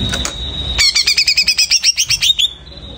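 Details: Greater green leafbird singing after its moult: a fast burst of about thirteen bright, down-slurred chirping notes over under two seconds, beneath a steady high tone, with some low rumbling before and after.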